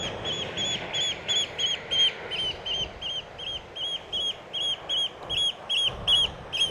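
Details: A flock of Eurasian oystercatchers at Orre beach in southwestern Norway, attacking a drone in flight to drive it away. Loud piping calls repeat two to three times a second over steady wind noise.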